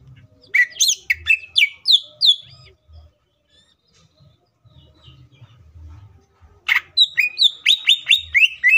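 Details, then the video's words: Lure song of a green leafbird, varied and full of added phrases: rapid sweeping whistles and chirps, a long silent gap, then a renewed fast run of sharp notes. "CUCAK IJO FULL ISIAN PALING MEWAHH❗AMPUH BUAT PANCINGAN IJO AGAR CEPAT BUNYI DAN EMOSI!"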